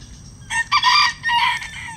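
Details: Bantam rooster kept in a chicken run, crowing: a short, loud harmonic cock-a-doodle-doo of about one and a half seconds in two main bursts, the second drawn out and falling at the end, over a low background hum.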